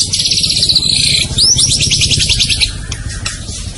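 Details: White-rumped shama song used as a training recording to stir other birds into singing: rapid buzzy trills of repeated high notes, then a sweeping upward note leading into another fast rattling series, with a low hum beneath.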